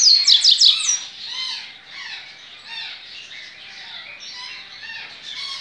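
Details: Double-collared seedeater kept at a licensed breeder, Baiano song type, dated 23 November 2019: an opening salvo of high, rapid upslurred whistles lasting about a second, then a continuous wash of chirps from other birds.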